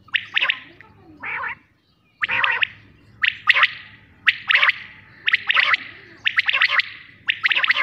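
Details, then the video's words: Quail calling loudly and close, a series of sharp clipped bursts repeated roughly every second, some grouped in quick runs, with a brief silent gap early on. "batair sounds 2666"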